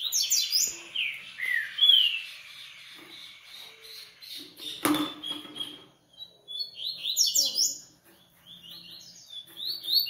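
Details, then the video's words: Brazilian captive coleiro (Double-collared Seedeater) singing fast, ringing whistled phrases of sweeping high notes, with a single loud knock midway, then more quick sharp chirps. "Coleiro Artilharia e REVELAÇÃO"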